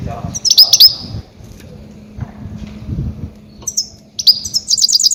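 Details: Loud goldfinch calls used as a decoy for catching grey-headed goldfinches, with clusters of bright high twittering notes near the start and a fast run of repeated chirps at the end, faint low rumble between.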